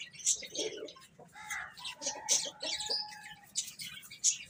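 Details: Chicks of domestic hen eating and playing; sharp high peeps scattered irregularly, plus a steadier lower tonal note held for about a second in the middle.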